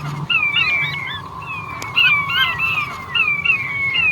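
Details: Male king quail calls with a series of thin whistles, each sliding down in pitch, repeated several times over a steady hum.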